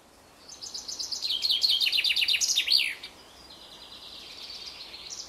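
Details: A common chaffinch (Fringilla coelebs) in Samara on 11 May 2019 sings a bright, rapid cascade of high notes that tumbles downward and ends in a quick flourish, followed by faint, thin calls from other birds.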